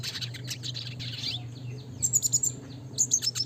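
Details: Red siskin, classic type, singing in the lively gacor nembak ngeroll style for bird training: a dense burst of high, scratchy twittering, a pause, then rapid sharp repeated notes, all over a faint low electrical hum.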